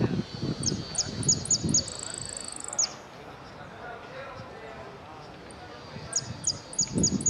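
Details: Contest saffron finch, 'amarillo sin cierre' category, interclub cup at Ciudadela, 8 March 2014: high slurred notes in a row leading into a rapid trill, repeated near the end, over low human voices in the hall.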